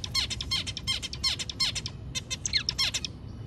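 A zebra finch sings a rapid, buzzy song of harsh stacked notes and quick downward sweeps.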